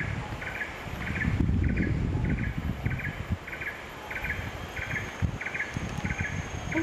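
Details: A black-and-red broadbill in Malaysia, July 2020, gives a steady series of short, mid-pitched notes, about two a second, over a heavy low rumble of wind or distant traffic.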